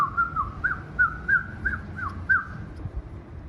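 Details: Rose-ringed parakeet giving a series of short whistled notes, each a brief rising-and-falling slur, about eight in three and a half seconds, over a low background rumble.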